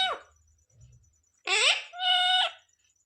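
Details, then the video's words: Talking parrot that mimics the words "Radhe Radhe" and "Mithu Mithu" and is called a bhajan-singing parrot. Two short, squeaky, voice-like utterances with rich harmonics, the second held and steady. A faint high ticking runs throughout. "Bhajan Gane wala Tota/Parrot Speaking Radhe Radhe/mithu Mithu"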